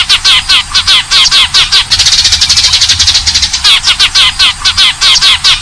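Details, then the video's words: Eurasian tree sparrow fighting call used for luring birds: quick, repeated chirps with bent, squeaky tones, broken mid-way by a faster, buzzing chatter, then more rhythmic chirps. "suara pikat burung gereja tarung"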